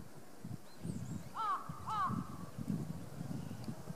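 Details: Crow at Kushiro City Zoo, Japan, pestering a napping Ezo brown bear, 6 March 2016: two harsh caws about half a second apart over low rumbling outdoor noise.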